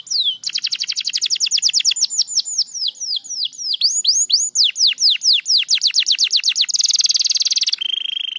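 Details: Dense 'gacor rapat' singing from a crested canary: a long accelerating chain of sharp downslurred whistles, about four per second, ending in a harsh buzzing roll and a thin sustained trill.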